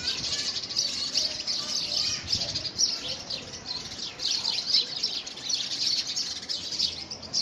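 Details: Several house sparrows wrangle over a homemade nest box in early February 2017. Loud, nonstop chirping with rapid, overlapping notes continues from start to finish.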